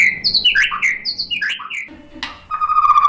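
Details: White-rumped shama song for provoking other shamas: slurred whistled notes and twisting phrases, ending in a steady sustained whistle.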